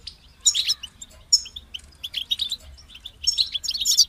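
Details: European goldfinch song, a rapid run of bright high twittering notes, buzzy trills and short tinkling phrases in bursts over four seconds, with a faint low hum underneath.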